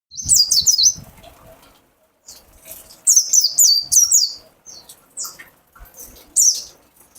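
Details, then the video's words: Mountain white-eye (pleci dakun) singing in its "wit wit wit" style: very high, thin, sharp chirps in quick bursts of three to five notes, separated by short pauses, with faint low knocks and rustling underneath. "PLECI DAKUN WIT WIT WIT"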